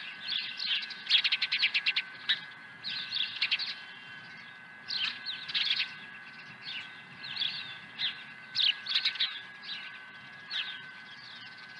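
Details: Osprey at a ranch nest in April 2020 with a second fish; quieter bouts of quick, high staccato chirps in runs, separated by short pauses, with soft background noise and hum.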